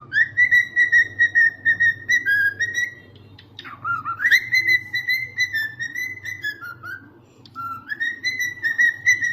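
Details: Cockatiels singing: clear whistled notes in phrases, level then dipping and rising again, a short pause near the middle before the whistling resumes with rhythmic repeated notes.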